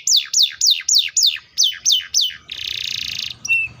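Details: Canary delivering eight loud, evenly spaced, steeply falling whistled sweeps, then a fast buzzy trill and a brief flat whistle, with only a faint low hum behind.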